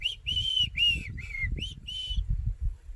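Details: Black-crowned Tchagra, a shy, seldom-seen bird, calling from cover in the Greater Kruger bush: a series of six clear whistled notes, each a slurred, slightly arching phrase, evenly spaced, over low engine rumble and faint background noise.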